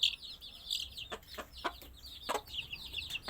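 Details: Young chicks give high, thin peeps, softly and quickly, interrupted by several sharp clicking knocks.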